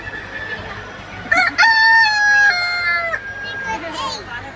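A rooster gives one loud, hoarse crow of about two seconds. It opens with a sharp burst and ends in a long, slightly falling note over a faint steady background hum.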